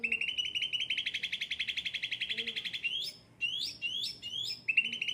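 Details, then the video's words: An ocean green, yellow-headed cucak ranting under attentive care in full song: a fast buzzy trill for almost three seconds, then a series of quick upward-sweeping whistled chirps and a renewed trill. "gacor cucak ranting"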